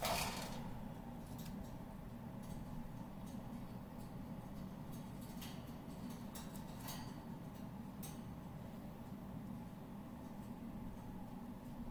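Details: Low room hum with scattered faint clicks and taps; no animal calls can be made out.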